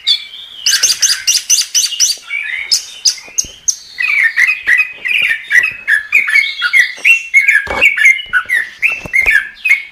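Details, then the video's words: Gacor song from a chestnut-capped thrush: a rapid high stuttering trill first, then rich rolling warbles and whistled slurs repeated in quick succession, with a few hard clicks. "Suara Burung Anis Kembang | Gacor"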